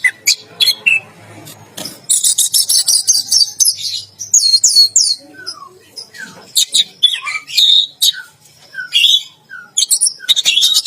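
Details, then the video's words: Orange-headed thrush singing in the 'teler gacor' style while bathing in a bath cage: a busy stream of high, varied whistles, sharp chirps and buzzy notes, with short pauses between bursts. "Anis Merah Teler Gacor || Baru Kali Ini Ada Burung Mandi Keramba Sambil Teler Gacor"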